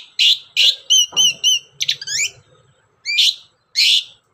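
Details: Long-tailed shrike singing as a lure for other shrikes: harsh rasping notes, a series of clear repeated whistles, quick upward-sweeping chirps, then two more loud rasps spaced apart.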